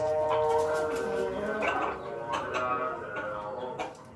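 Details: A laughing-chicken rooster crows in the morning: a long, steady, ringing note, then a run of choppy, rising-and-falling bursts like stuttered laughter, about one every second.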